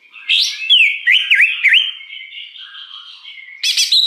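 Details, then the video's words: Greater green leafbird in the wild, its song used for luring birds: looping whistled notes that dip and rise three times over a steady high tone, ending in a bright burst of clear notes. "Suara Pikat Cucak Hijau Liar"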